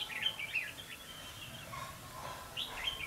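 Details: Red-whiskered bulbul at a trapping site, 5 November 2016, giving a few quick chirpy whistled notes near the start and end with a quieter pause between, against faint low background hiss.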